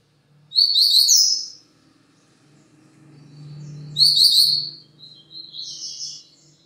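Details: Double-collared seedeater song: two loud, rapid warbled bursts of high chirps about three seconds apart, the second running into a softer scratchy tail, over a quiet low hum.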